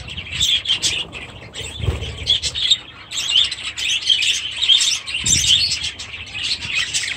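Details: Busy high-pitched twittering of a budgerigar group living in an aviary with chicks, many short chirps and warbled notes overlapping, with two soft low thuds.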